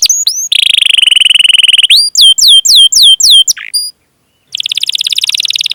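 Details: Domestic canary singing a long training song used as a lure to make other canaries sing: rapid buzzy trills, a run of repeated downward-sweeping whistled notes, a brief pause, then another fast rolling trill.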